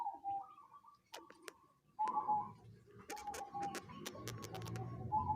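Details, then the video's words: Unusual call of a local zebra dove: short bursts of rolling, trilled coos repeated after brief gaps, accompanied by a series of sharp tapping clicks and a low background rumble. "Perkutut lokal suara aneh"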